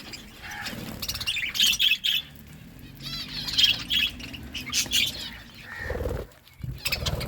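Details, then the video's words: Budgerigars feeding, giving bursts of bright, warbling chirps in short clusters separated by brief pauses, along with fluttering wings and sharp clicks from pecking at food. "Budgies eating food birds chirping sounds"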